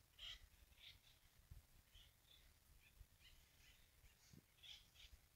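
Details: Several woodpeckers in a dusk chorus on Palomar Mountain, California, in February 2019 give short, scratchy, mid-high calls, a few every second and overlapping, over a low background rumble.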